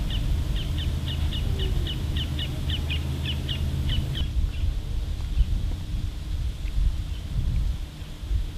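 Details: Roadside hawk (Buteo magnirostris) recorded 21 April 2010, giving a quick series of about a dozen short, high, evenly spaced notes over four seconds, over steady low rumbling background noise.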